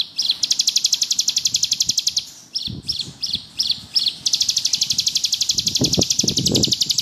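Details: Bar-winged prinia in lively ngebrem song, used as a tutor recording: fast buzzy high trill breaks into five separate chirped notes, then resumes as a long rapid rattle; soft low knocks underneath.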